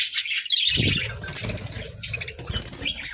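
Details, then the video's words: Budgerigars kept as pets chirp in a tangle of high, fast twittering notes, with low knocking and rustling sounds running underneath. "Joyful Parakeets🐦🦜: Daily Chirping, Songs, and Fun!"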